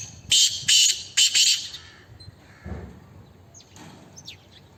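Black francolin giving a loud, harsh, grating phrase of three or four rasping notes in quick succession, followed by faint thin chirps and low background rumble.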